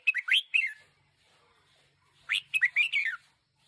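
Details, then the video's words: Two brisk bursts of squeaky, warbling notes from a one-year-old decoy red-whiskered bulbul. A short pause separates the phrases, and the second is slightly longer, with rising and falling chirps. "Chào mào chim mồi 1 nam"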